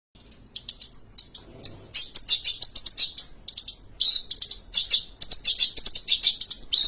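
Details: An Oriental Reed Warbler (Acrocephalus orientalis) sings a loud, continuous run of harsh, scratchy chatters and high buzzy notes, delivered rapidly with hardly a pause.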